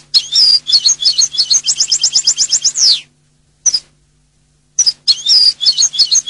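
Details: European goldfinch singing twittering phrases, with an evenly repeated trill closing in a descending slurred note, a short isolated call, then more lively twittering; faint background hum.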